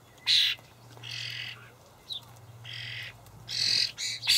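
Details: Young Common Starlings (Sturnus vulgaris) in a Hamburg allotment garden on 28 May 2012, being fed dried buffalo worms by the adults, give harsh, raspy, hissing begging calls in six bursts over four seconds, some slurred and overlapping, over a low steady hum.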